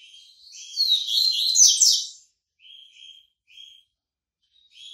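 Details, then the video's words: Bahian white-breasted yellow-bellied seedeater, fresh out of moult, builds into a loud, tumbling high warble for over a second, followed by several short, soft buzzy notes spaced apart. "COLEIRO BAIANO PEITO BRANCO SAINDO DE MUDA, CANTASSO"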